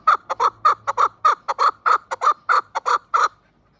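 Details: Chukar partridge calling close and loud: a rapid run of about fourteen harsh, clucking chuck notes over three seconds, unevenly spaced and sometimes paired, then stopping abruptly, against a quiet background with a faint low hum.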